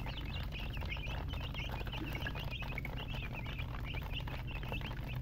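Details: Baby chickens peeping in a busy chorus, quick high chirps repeated many times a second with some rising and falling, over a loud steady low hum.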